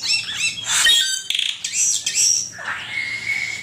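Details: Asian pied starling, recorded as a master track for teaching songbirds, gives loud bubbling warbles and harsh buzzy notes, then a long drawn, slightly rising whistle holding steady to the end.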